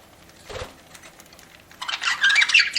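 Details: Pet budgerigar while eating: near silence with one low knock, then a loud rush of scratchy, warbling chatter filling the final second.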